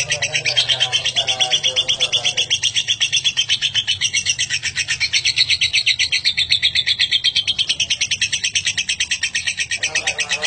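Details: Continuous ngekek of a lovebird, a long chatter meant for tutoring other birds; fast, even pulses of rasping high notes run without pause, with a brief lower squeak near the start and end.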